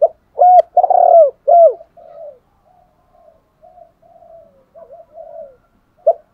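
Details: Spotted dove decoy calling, used to lure wild doves: three loud, low, mellow coos in quick succession, then a run of much softer, fainter coos, ending with one short coo.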